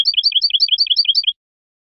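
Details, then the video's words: Spanish goldfinch song from a recording for teaching young birds: a quick regular series of high, paired twittering notes, about eight per second, stopping after just over a second, then silence. "شريط لغة الحسون الإسباني"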